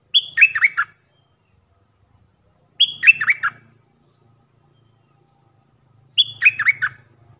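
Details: Decoy Puff-throated bulbul, heard for training young birds, repeats a near-identical phrase three times about three seconds apart: a flat whistled note followed by three quick descending slurs.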